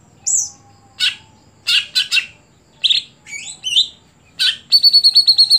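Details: Greater green leafbird singing a varied phrase: a thin whistle, sharp chirps, a pair of twisting warbled notes, then a quick high trill of evenly repeated notes to finish.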